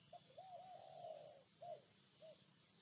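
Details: Spotted dove in Ninh Thuận, Vietnam, giving a soft, low cooing phrase: a short note, a long drawn coo, then two brief hollow notes, with faint background hiss.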